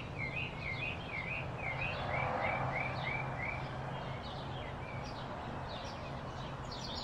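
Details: Blue-throated flycatcher in Arizona, recorded in the field, delivers a brisk string of about ten wavy high whistles in the first three seconds, then fainter scattered notes, over a steady low hum.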